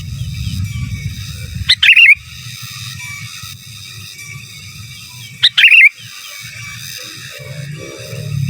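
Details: Master-song recording of a gacor sooty-headed bulbul, giras and menggaruda: two crisp warbled phrases about four seconds apart, each opening on a high note and tumbling through fast liquid slurs, over a low continuous hum.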